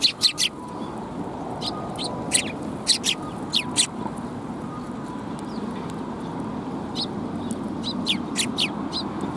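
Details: Sparrows coming to be fed at a Tenmangu shrine, 28 December 2021: bursts of short high chirps, some in quick pairs, over a steady loud background rumble.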